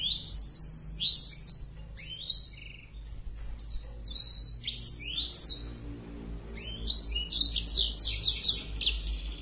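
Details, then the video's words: Black-throated canary in breeding condition, wings spread, pours out high whistled phrases of looping slurred notes, sustained tones and quick rising chips, strung together in lively bursts. "Blacktroth gacor bukasayap birahi"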